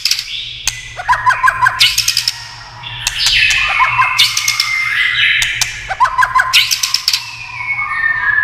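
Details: White-rumped shama singing with tail-tapping clicks used to spur other shamas into song: rich varied whistles and fast bubbling trills in bursts, cut by sharp dry clicks.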